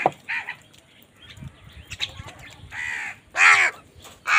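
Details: Crows squabbling over food give a series of rough caws that build from soft, scattered calls to one loud, strident caw near the end, followed by another harsh call.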